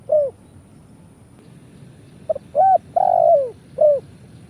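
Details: Spotted dove lure call used for trapping, from Indonesia: phrases of soft cooing notes around 600–700, a short note, a longer purring coo falling in pitch, then a brief coo, with low background hum.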